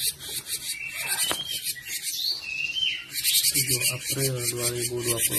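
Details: Cinereous tit, a recording used for training other songbirds: scratchy rasping chatter with short sliding whistles in the middle, then a longer buzzy rattle over lower squeaky notes.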